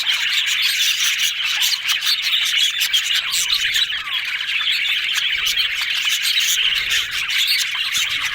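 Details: Several yellow budgerigars, described as happy, chattering: a dense, continuous mix of rapid chirps, squawks and warbled twittering that overlaps without pause and stays steady and lively throughout.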